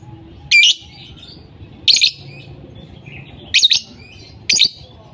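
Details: Lovebird voicing in short bursts of harsh piercing squawks, some doubled, separated by a second or more of soft background twittering.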